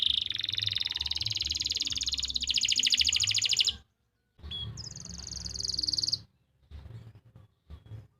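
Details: Canary song recorded in Pati, Central Java, used to teach young or silent canaries to sing: rapid rolling high trills for nearly four seconds, a sudden silence, then a brighter higher trill, then scattered short chirps and faint noises.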